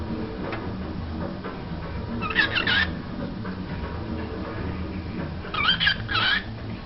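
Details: A female cockatiel pushing up against a computer printer gives two short, scratchy chirping bursts a few seconds apart over a steady mechanical hum.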